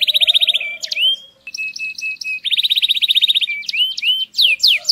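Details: Male canary song for mating stimulation: a rapid pulsing roll of repeated notes, a pause, a run of evenly spaced steady whistles, another fast roll, then swooping slurred syllables.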